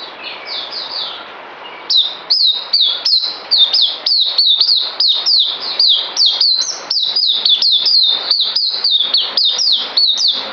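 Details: Kept songbird due for a deworming, 9 December 2018. Quiet, softer notes open the recording, then an energetic series of crisp, high, down-sliding chips pours out continuously for about eight seconds.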